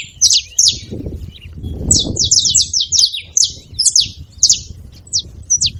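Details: Several saffron finches together, making noise: sharp high chirps sweeping downward, given in quick irregular bursts, some overlapping, over a low rumbling background.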